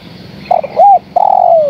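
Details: Female spotted dove calling to the male: a stuttered coo and a rounded arched coo, followed by a long drawn coo slowly falling in pitch, which is cut off before the phrase ends.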